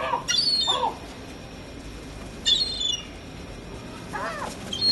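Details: Gulls giving sharp, downward-slurred squealing calls, one after another with uneven gaps, over a quiet, rumbling background.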